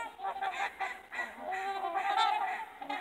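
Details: Several trumpeter swans calling together, their loud nasal, horn-like honks overlapping almost continuously with rising and falling notes throughout.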